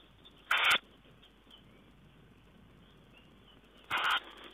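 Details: Tawny owl, recorded 4 June 2010, making two brief, coarse, hissing screeches roughly three and a half seconds apart, each about a quarter second long, in a quiet setting with light background noise.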